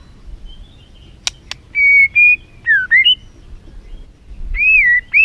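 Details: White-rumped shama song used to stir up a caged bird: two sharp clicks, then pure whistled notes, some level, some swooping down and up, in short separated phrases.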